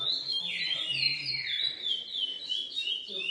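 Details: GP x Coimbra lesser seed finch, bred in captivity, singing high whistles that include a long downward glide near the start, then quick repeated slurred notes, with faint low humming behind.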